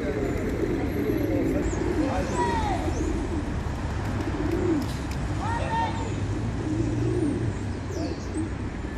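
A male pigeon gives low, throaty rolling coos every few seconds over a steady rumble of traffic, with faint chirps from other birds.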